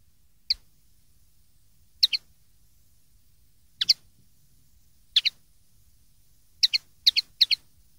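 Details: Common linnet song for schooling young birds: crisp high two-part chirps spaced a second or more apart, then bunched into a rapid sequence near the end, faint low hum beneath.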